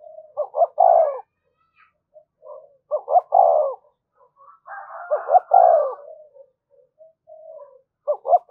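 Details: Repeated thúc gù cooing by a spotted dove to lure others: a sharp doubled note flowing into a full low coo, roughly every two and a half seconds, one phrase overlaid by a fainter higher trill.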